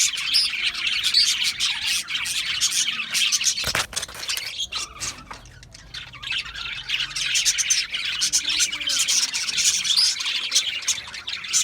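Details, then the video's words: Budgerigars chirping in a dense, continuous chatter of rapid, high, scratchy twitters and squawks from several birds, with a short pause near the middle before the chorus resumes. "Natural Parakeet Singing Birds | Parrots Chirping sounds"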